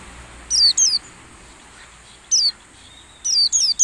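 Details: White-eye lure song for training caged birds during morning dew exposure so they sing like wild birds: short high whistled notes sliding downward, in a pair, then one note, then a group of three, with quiet gaps between.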